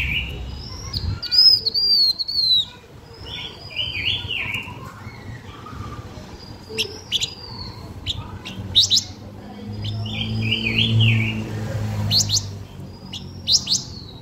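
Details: Blue-winged minla singing a lure song meant to stir and attract birds: high sliding whistles mixed with short sharp chips and quick warbled, wavy phrases, repeated in bursts over a faint low hum.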